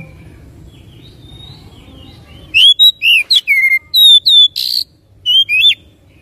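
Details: Oriental magpie-robin song used to stimulate another bird into singing. After a quiet low hum, loud clear whistled notes begin: sliding, looping and falling phrases with one harsh buzzy burst, delivered in quick separate bursts.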